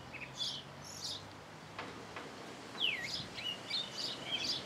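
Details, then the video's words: Thrush singing at its singing hour: scattered high whistled notes and short trills, with one clear descending slurred whistle near the middle, over a steady background hiss. "Zorzal en su hora de cantar"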